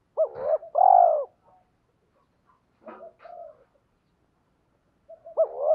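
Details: Caged spotted dove used as a decoy to lure wild birds, cooing: a loud two-part coo, a pause with soft scattered notes, then the same rising-then-drawn-out coo starting again at the end.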